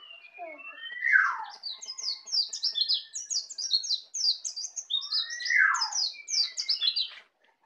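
A young Bali white-eye practises its song: fast, high, jumbled twittering runs, broken twice by a lower, slurred downward whistle.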